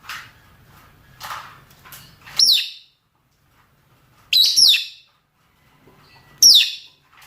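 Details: Shrill descending shrieks from male and female rosy-faced or Fischer's lovebirds calling to mate, three sharp loud bursts spaced about two seconds apart over faint twittering.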